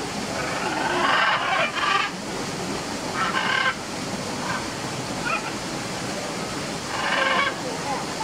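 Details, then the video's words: A family of macaws gives harsh, raspy squawks in short bursts every second or two against a steady hiss like rushing water. "The Family Macaws Sing a Song Wake Wak"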